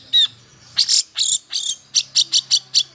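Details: Long-tailed shrike song aimed at stimulating silent shrikes: harsh, scratchy bursts followed by a steady series of about eight sharp rasping notes repeated several times a second.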